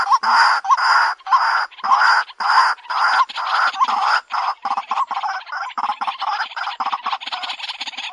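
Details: White-breasted waterhen, locally ruak-ruak, lure call: loud harsh croaking notes in a fast, steady series of nearly two a second, later becoming shorter and more clipped.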